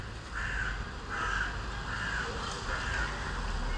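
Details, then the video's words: Gulls feeding on chicken meat in Üsküdar, Turkey: four harsh, mid-pitched calls about one second apart, over a steady roar of low city and traffic noise. "martı sesi"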